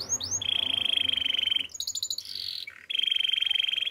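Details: Russian canary singing a chain of fast trilled tours: a pair of upswept notes, a long even rolling trill, a high pulsed burst, a short buzzy section, then the rolling trill again.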